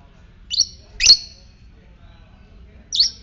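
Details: Lovebird, fighter type, making ngetik calls to stimulate ngekek: two quick, high, sharp chirps half a second apart, a pause, then a third clipped chirp.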